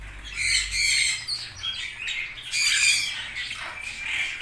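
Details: Red-rumped parrots calling with coarse, rasping squawks in two main loud bouts, interspersed with quieter chatter.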